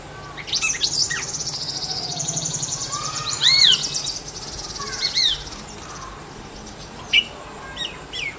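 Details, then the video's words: Male Jerdon's leafbird gives sharp, arched whistled notes and quick chirps over a steady high buzzing of insects, with a few other chirps scattered through. "Jerdon's Leafbird Call"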